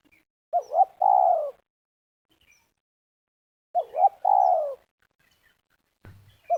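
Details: Luring a spotted dove for trapping in Liwa, West Lampung, Indonesia. The dove gives two clear phrases, each two short wavering notes and a long falling coo. After a pause a brief knock is heard, then a third phrase begins.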